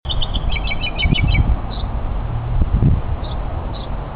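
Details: Mockingbird singing on a hiking trip: quick bursts of thin, chirpy high notes repeated in a rapid run, then a few spaced single chips, over low rumbling wind and handling noise.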